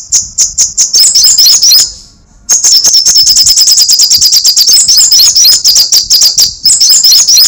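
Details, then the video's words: Sunbird's rapid chattering: loud, high, buzzy pulses tumble out in fast runs with trilled flourishes. A short pause near two seconds is followed by an even faster, denser stream that continues to the end. "Suara crecetan burung kolibri sogok ontong /srigati gacor"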